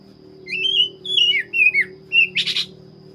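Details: Black-breasted Oriental magpie-robin singing clear slurred whistles, several falling notes in quick succession, ending with a short harsh scratchy burst.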